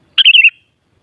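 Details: Sooty-headed bulbul singing a brief lively phrase meant to stir other bulbuls to answer: a rapid run of bright, slightly warbling whistled notes, slurring downward over under half a second, then silence.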